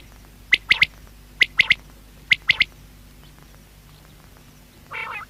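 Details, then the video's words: Quail (batair) calling: three quick, sharp, liquid three-note phrases about a second apart, followed by a brief harsher, nasal sound at the end. "Batair sound | Quail voice"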